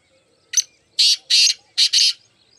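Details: A single phrase from a black francolin, one of four birds: a short sharp note followed by four loud, rasping, buzzy syllables in quick pairs. The background is quiet.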